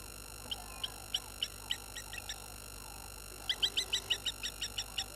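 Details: Water thick-knees at Gowrie dam, Djuma Game Reserve, Sabi Sand, South Africa, 16:50 on 11/03/21, upset by a baboon coming close, give high, sharp piping notes, first spaced, then a quicker, louder run of about a dozen, over an electronic hum.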